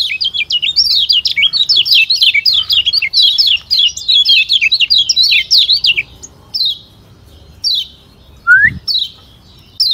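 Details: Lombok white-eye (kecial kuning, Zosterops) from Lombok with a thick, full voice, sung to stir rival birds. Rapid, dense run of high, twittering, up-and-down chirps for six seconds, then sparse short chirps and one rising whistle.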